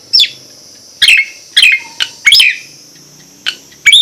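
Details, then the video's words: Nias hill myna giving sharp, high chirping whistles with abrupt downward and upward twists. Six clipped notes come at irregular intervals of roughly half a second to a second, against a quiet background. "Kicau jalak nias"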